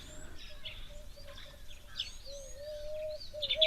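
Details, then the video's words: Starlings calling high overhead at an African waterhole on 13 February 2025: a jumble of chirps, whistles and buzzy notes over a steady whistled tone and soft outdoor background noise. "calling as well."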